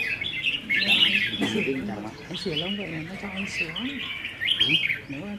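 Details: Caged red-whiskered bulbuls in a practice group singing contest on 15 May 2021: bright chattering phrases, with men talking loudly beneath the birds throughout.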